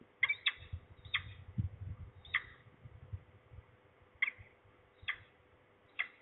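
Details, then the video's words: Falcon voice heard nearby in Trzebież, Poland, 3 January 2023 at 12:28: spaced, rasping single and double notes, loud then fading gaps of over a second, with low rumbling noise in the background. "A falcon's voice is heard nearby"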